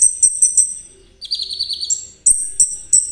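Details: Konin trotol song, meant to get other birds singing and to lure ninja sunbirds: shrill repeated high chips, a quick rattling trill in the middle, then sharp piercing notes again.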